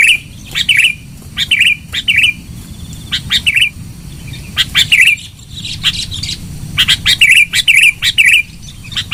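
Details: Sooty-headed bulbul song used as a bird-catching lure: loud, bubbly chirping phrases near the upper-middle pitch, short notes in bursts of two or three, repeated every second or so with brief gaps.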